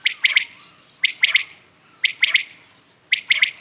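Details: ['Clear, loud triplets from common quails at dawn, three quick liquid notes per phrase, repeated roughly every second against a quiet background.']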